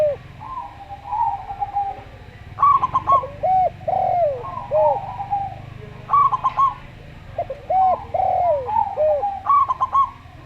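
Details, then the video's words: Local zebra dove in slow song, repeating a phrase of fast choppy notes and curved, sliding coos about every three seconds, with softer steady coos between phrases. "Perkutut Lokal Suara Slow"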